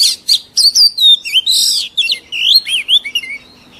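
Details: Oriental magpie-robin song from a mature wild-caught bird, used to train young birds: a continuous flow of looping, slurred whistles that rise and fall, with a few harsher, buzzy notes in between.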